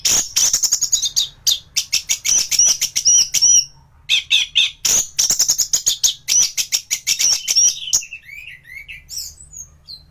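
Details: Lively thrush (anis) song meant for teaching other cage birds, a nearly continuous stream of rapid sharp high chirps and trills with brief pauses, ending in softer varied twittering notes.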